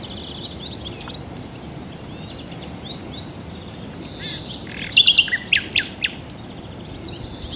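Common Nightingale song: varied high whistles and chirps, then a loud burst of rapid repeated notes midway, over a steady hiss of background noise.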